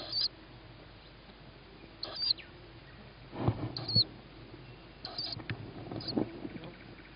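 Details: Young tawny owl begging as its mother arrives with food, 21 May 2017, 21:38, with a sibling fed on a roof. Four rasping, hissy screeches come irregularly, mixed with low thumps and rustling.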